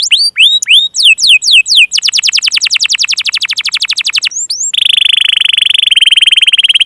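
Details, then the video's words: Canary song played to get young and stalled canaries singing: looping whistled upsweeps, a long run of quick descending notes, two rising whistles, then a dense buzzy rolling trill. "burung kenari pancingan paud dan yg macet"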